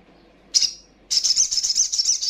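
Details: Little spiderhunter female, a sound meant to provoke rival birds: one sharp high chip, then a fast, even run of shrill stuttering notes for about a second.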